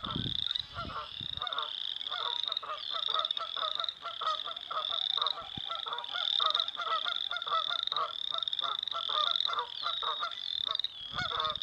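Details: Spring on the Carden Alvar: Canada Geese honk in a rapid, overlapping series throughout, over a steady high trilling chorus of frogs.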